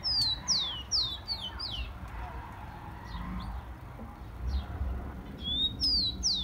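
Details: Rufous-collared sparrow song used to warm up captive tico-ticos: a quick string of loud, high whistles, each sliding downward, fades into soft chips before a new rising-then-falling phrase starts, over faint low background noise.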